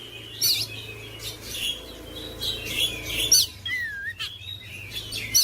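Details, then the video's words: Oriental magpie-robin singing to stir quiet, reluctant magpie-robins into full song. High, varied chirps and sweet whistles come in quick bursts, with some slurred falling notes and a low steady hum underneath. "KICAUAN KACER MENGOYAK KACER BISU MALAS BUNYI JADI NGOTOT GACOR"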